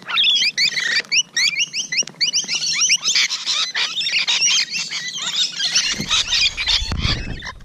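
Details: Rainbow Lorikeets up close one June 2017 morning, a continuous mass of sharp, high chittering notes from many birds, with a low rumble or handling noise toward the end.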